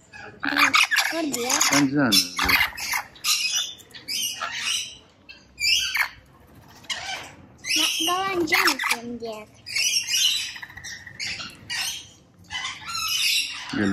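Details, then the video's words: Rainbow lorikeet chattering almost nonstop with harsh, grating screeches and raspy squawks, tumbling over one another in uneven bursts with brief gaps. "Rainbow Lorikeet Bird Sound, Bird Song, Bird Call, Bird Calling Chirps"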